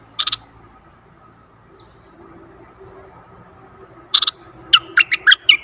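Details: Caged decoy bulbul singing to lure a very old wild bird, recorded 11 August 2021: a brief bright note burst, a pause, then a run of sharp chirped notes near the end over low background hum.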